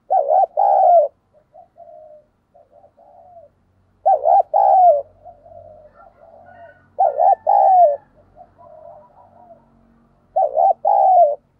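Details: Decoy spotted dove cooing in a thunder-voice style. Four loud phrases, each a doubled pulse and then a falling drawn-out coo, come roughly every three seconds, separated by quiet burbling notes. A faint low hum sits beneath.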